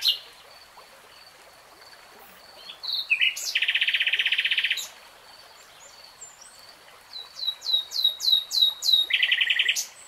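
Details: Common nightingale: a sharp note, then a dense buzzing trill for over a second, silence, a series of rising whistled notes repeated about twice a second, and a closing rapid trill.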